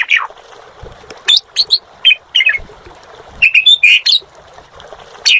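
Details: Asian pied starling singing gacor, with spaced clusters of squeaky chirps and short harsh whistled notes separated by brief pauses over a quiet background.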